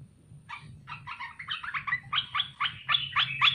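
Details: Captive olive-winged bulbul, a red-eyed variety caught wild and kept three months, singing as a lure to draw replies from other bulbuls. Short, bubbly chattering notes in quick uneven bursts that grow louder toward the end, over a low hum.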